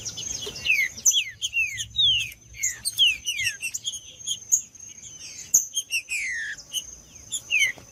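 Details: Green-winged saltator singing in male fighting mode: loud, sweet descending whistled slurs in quick succession, mixed with sharp chips and a steady high-pitched background tone.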